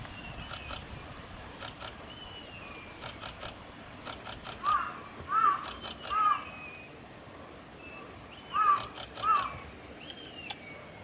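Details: Japanese pygmy woodpecker at Gongenyama Bird Sanctuary, Japan, on 30 May 2020, giving five short, harsh, creaky notes in two loose bursts, with thin whistles of other birds in the background.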